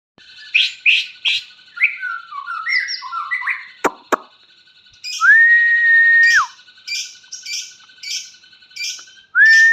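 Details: White-rumped shama song of varied phrases: short sharp notes, a cluster of slurred descending whistles, then a long steady pure whistle and scattered chips over a constant faint background tone.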